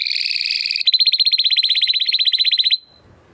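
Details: Timbrado Español canary, a male born in 2020 from rated parents, singing a training song: a whistled double-pitched phrase, then a fast, even trill of rapid repeated notes lasting about two seconds before stopping.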